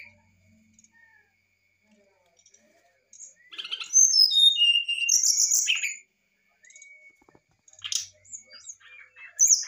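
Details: Brown-chested jungle flycatcher in lively fluting song with varied phrases, used to lure a reluctant bird into singing. Clear, flute-like whistles slide downward in a quick run, followed by scattered sharper notes and brief pauses.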